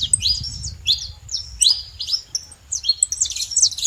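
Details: High, sharp chirps and short upslurred notes from saffron finches at a feeding spot, coming in scattered bursts over a steady low rumble that is strongest at the start.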